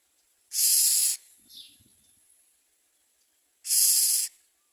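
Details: Common myna bringing food to its young; two loud, hissing rasps about three seconds apart, with a soft brief note and faint rustling between them.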